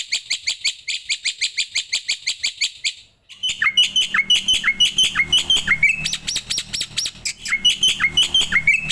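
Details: Starling song, Javan white, Javan, Nias hill myna and Asian pied starling types, used as master audio to train other birds: quick run of sharp buzzy chirps about three per second, brief pause, then varied whistled, down-slurred notes and rattles.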